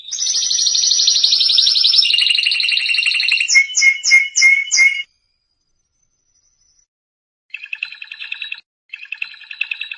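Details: Canary song for training young canaries: a long rapid rolling trill stepping down in pitch, a few quick repeated chip notes, silence, then two short buzzy trills.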